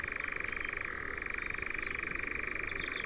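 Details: European nightjars in Ringwood Forest near Verwood, Dorset: a continuous mechanical churr of very rapid, even pulses that runs unbroken throughout and holds a steady mid pitch.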